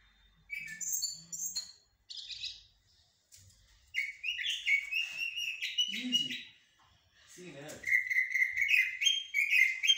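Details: Blackbird, locally jahmumiya or shahrour, in haddadia and military song styles: scattered high twitters, then sustained whistled warbling with squeaky overtones, interrupted by brief human voice sounds and noises.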